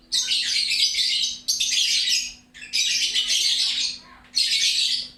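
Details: A lovebird sings in loud, lively chatter, with four long bursts of scratchy, high twittering and brief pauses between them, and a faint low hum underneath.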